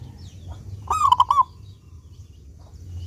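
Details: Singing local zebra dove with a clear voice, used as a lure to make doves sing: a single phrase of four quick, ringing cooing notes near the middle, with low background hum before and after.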